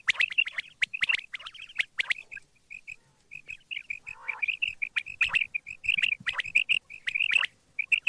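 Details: Quail calling at morning time, delivering many short, bright, evenly pitched chirps in fast irregular series, with one brief rough squawk midway.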